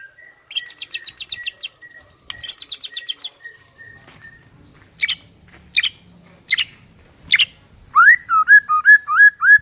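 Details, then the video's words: Morning song of a white-rumped shama, used to stir up rival birds: two bursts of fast rattling trills, a series of sharp separate chips, then a run of rising and falling whistled notes. "HITUNGAN DETIK DI PAGI HARI BIKIN MURAI LAWAN AUTO NAIK EMOSI SEKETIKA"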